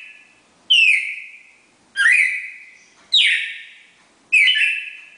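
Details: Pair of red-crested cardinals giving the classic four-note Bagé song: four strong whistles, the second rising sharply before leveling, each decaying slowly, about one second between notes.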